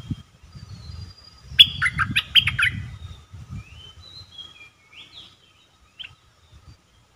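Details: Caged red-whiskered bulbul working as a trapping decoy, recorded 1 September 2021. A loud burst of fast whistled notes rings out over rumbling low background noise, followed by thin, faint high whistles.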